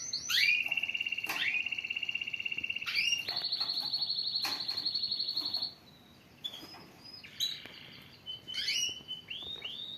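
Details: Young canaries starting to sing during song training and listening practice; long, steady, pulsed rolls held for over a second, first mid-pitched and then higher, followed by short upslurred whistles and brief chirps, with quiet gaps between phrases.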